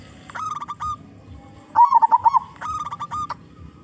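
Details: Zebra dove, a local bird with a big voice, used as a lure: quick clusters of clipped hoots surround one loud, rolling trill of bubbling coos lasting about half a second.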